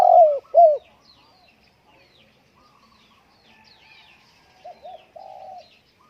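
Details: Spotted dove kept indoors on a windy day, giving two clear mellow coos, a pause with faint high chirps from other birds, then a short double note and a longer drawn-out coo.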